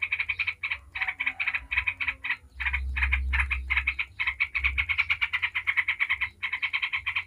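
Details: Yellow-vented bulbul giving 'ngebren' chatter meant to provoke other bulbuls into singing. Long, nearly continuous runs of rough, buzzy notes are broken by brief pauses over a faint low rumble.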